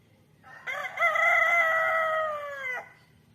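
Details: Loud rooster crow: a short rising pickup note, a brief gap, then a long steady ringing cock-a-doodle-doo held for nearly two seconds before cutting off sharply, with low hum underneath.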